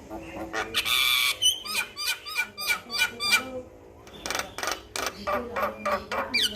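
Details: Male Javan myna singing on a master recording for pet mynas: a rough rasping burst, then evenly spaced downslurred whistled notes, a brief gap, and more harsh chattering.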